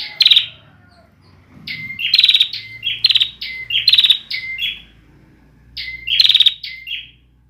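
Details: Immature bar-winged prinia, 2021, singing an unfinished song: repeated phrases pairing a flat whistled note with a rasping buzzy trill, several phrases run together, then a pause and one more phrase.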